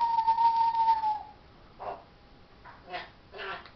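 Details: Talking parrot indoors: a long steady whistled tone that slowly falls, then three short hoarse speech-like syllables spaced about a second apart.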